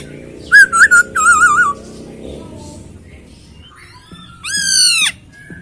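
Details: Loud wavering trilled whistles from a masked laughingthrush, followed after a pause by one long sweeping rising-and-falling whistled note, with a low hum underneath.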